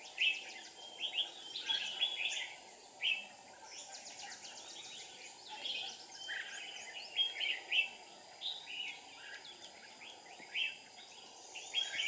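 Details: Trapping decoy red-whiskered bulbul on 7 April 2019, repeating short chirpy, warbling phrases every second or two; faint high, ticking insect-like sounds behind, with steady background hiss.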